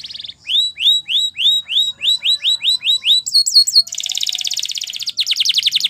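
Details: Canary song used for training: evenly spaced rising-then-falling whistled notes, a few looping notes, then dense buzzy trills.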